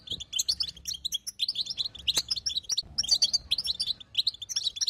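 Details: Female European goldfinch calling to prompt a silent male into song: dense bursts of high, liquid twittering chirps, rapid and overlapping, with brief pauses and a few sharp clicks.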